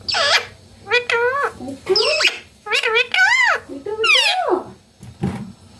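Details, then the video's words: Ringneck green parrot, a talking bird from India, gives a run of loud harsh squawks and bending, rising-and-falling screeches in quick succession, recorded close up indoors. "India's Best Ringneck Green Parrot Natural Sounds/Voices || Talking Parrot"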